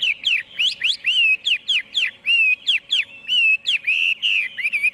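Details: Chinese hwamei delivering loud, mellow whistles that swoop up and down, some phrases repeated back to back with short pauses between.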